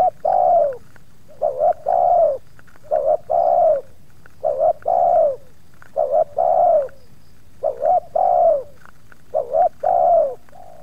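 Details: Continuous cooing of a spotted dove as wild doves come into its yard, phrases of short wavering coos and long dropping coos repeated roughly every one to two seconds.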